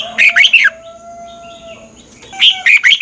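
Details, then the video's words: Red-whiskered bulbul singing, a recording from Thailand meant for training birds or getting them excited: a short burst of bright warbled notes, a pause with a faint thin tone, then another rapid phrase of chirpy whistles. "เสียงนกกรงหัวจุก สำหรับต่อ หรือ เปิดให้นกคึก เสียงเพราะๆ"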